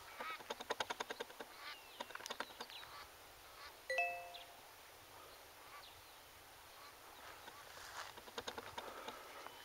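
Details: Eastern clapper lark in Zastron, Free State, South Africa: quick runs of dry, rattling wing claps, a drawn-out rising whistle midway, then more clapping near the end, with some camera focusing noise.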